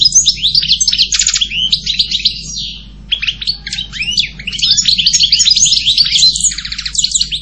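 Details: European goldfinch delivering a long, rambling twittering song of quick chirps and slurred notes, dipping briefly midway before resuming strongly.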